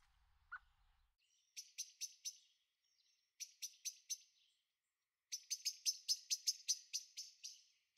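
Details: Young common blackbirds in a garden on the Veluwe, Netherlands, 30 April 2014: three bursts of sharp, high, scratchy calls, the last a fast run of about a dozen, separated by short silences.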